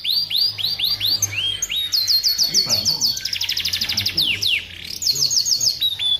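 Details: Canary song used as a master for training: quick descending whistled notes give way to long rapid trills and rattling chip series, high and continuous, with a soft low hum beneath.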